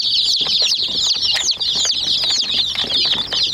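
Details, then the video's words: Chicks swarming a small toy jeep keep up shrill, overlapping cheeps, and sharp knocking clicks break in as they peck at it. "Murgi Chicks Chirping Sounds"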